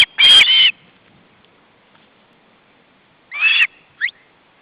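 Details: {'caption': 'Begging of young ospreys, siblings at an Estonian nest in August 2012 as the male arrives with fish; a loud, shrill double call, a long silence, then a shorter squeal and a brief upward yelp.'}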